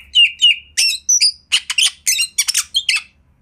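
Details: Kacer master song: two clear whistled notes open, followed by harsh buzzy bursts and rasping chatter at a fast, uneven rate of roughly three to four notes per second.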